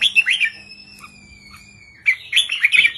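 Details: Red-whiskered bulbul in the 3-4-5 counting song style. A quick warbled phrase is followed by a long pause with a thin steady tone, then another burst of lively chirping notes.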